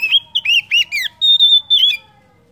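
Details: Oriental magpie-robin (kacer) lure song to stimulate other birds: a quick string of about six bright, downward-slurred whistles, then a sustained high whistle and a final slur before silence.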